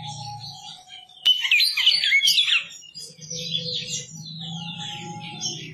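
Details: Great-billed seed finch, called a Goiano pardo bicudo: a sudden click, then a burst of quick warbled, twittering phrases, followed by softer scratchy trills, over a steady low hum and a thin held whistle-like tone.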